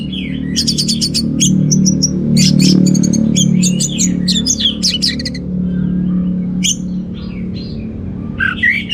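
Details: Orange-headed thrush giving rich, vigorous 'teler' style song: rapid sequences of sharp high clicks, chirps and twisting whistles, busiest in the first half, then sparser notes, over a low droning background.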